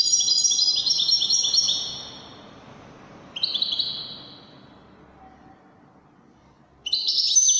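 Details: European goldfinch singing in the Moroccan Wedani style: a loud high twittering trill that fades out, a short pause, a brief bright phrase, then silence before a sudden new burst of high trills at the end.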